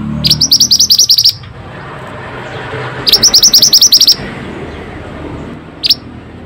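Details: Pied bushchat (mantenan) singing actively, used to coax lazy or stressed birds into song: two rapid bursts of about ten high, sharp chipping notes lasting about a second each, then a single brief note, over faint low background hum.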